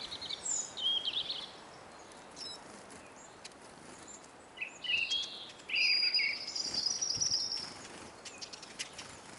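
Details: Eurasian siskins, a flock of hungry birds at a bird table in Kolmården, Sweden, recorded from the ground beneath the feeder: high thin twittering and buzzy wheezing notes, some drawn-out, with clicking and pattering sounds between.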